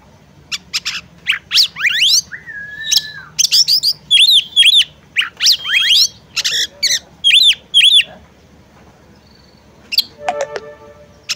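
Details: Female oriental magpie-robin calling to prompt a male to sing: sharp, steep whistled strokes and clipped chirps in quick irregular bursts, with one long level whistle and a faint rattling note near the end.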